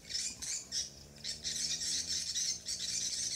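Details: On Samui, Thailand, swiftlets twitter in harsh, buzzy bursts, several per second, with a short lull near the middle before the dense chorus resumes. A faint low hum lies beneath.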